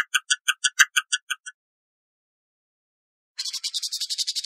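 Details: Canada jay (gray jay): a rapid series of about nine ringing, clipped notes, a pause, then a harsh, buzzy rattling chatter.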